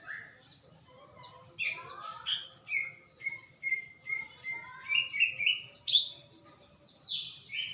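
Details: Singing greater green leafbird: a lively medley of short whistles, trills and upward-sweeping chirps at high pitch, phrases tumbling quickly with brief pauses, faint low hum in the background.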